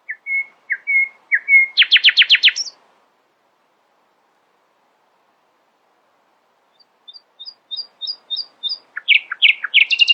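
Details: Nightingale singing in the early morning: clear whistled notes, then a loud pulsing rattle, a pause of about four seconds, and a rising series of short high notes ending in rich, varied phrases.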